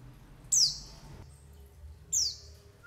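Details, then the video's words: White-eye lure call: two loud, piercing notes that sweep steeply down, about one and a half seconds apart, with a low hum behind. "SUARA PANGGILAN PLECI UNTUK PANCINGAN PLECI"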